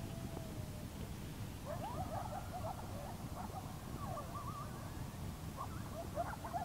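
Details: Two barred owls calling at night in north central Kansas, recorded while camping, with the calls believed to be of a mating nature; a single drawn-out hoot first, then a burst of excited, bending, overlapping notes over a constant low hum.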